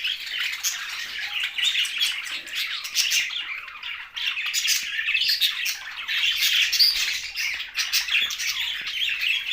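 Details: A flock of budgies warbles continuously, mixing scratchy chirps, squeaks and the odd clear whistle, with a brief dip in the noise midway before the chatter builds again.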